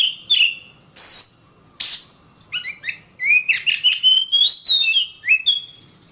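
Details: Oriental magpie-robin on a training tutor recording: scattered high sharp notes lead into a dense, rapid chain of whistled and warbled phrases, irregular in rhythm, clear and loud.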